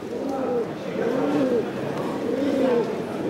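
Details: Male Indian Fantail pigeon, silver barred, French Cup winner at the 2022 national poultry show in Woincourt, France: soft, low rolling coos rising and falling in smooth arcs, several overlapping, under loud talking voices and hall noise.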